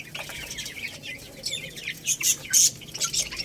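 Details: Young Lohmann Brown chicks, a growing little rooster and a baby hen, eat rice, giving a few thin, high peeps among a steady patter of sharp pecking and scratching clicks.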